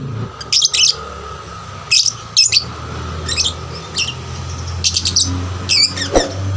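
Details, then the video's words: Young lovebird singing as a lure for other lovebirds; sparse, sharp high chirps and squeaky twitters spaced about a second apart over a steady low room hum. "pancingan lovebird paud rajin bunyi... merangsang lovebird lain lebih gacor"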